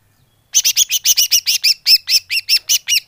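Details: Greater green leafbird (cucak hijau) call played as a bird lure: a continuous rapid chatter of loud, doubled, ringing notes, about five every second, with no pauses.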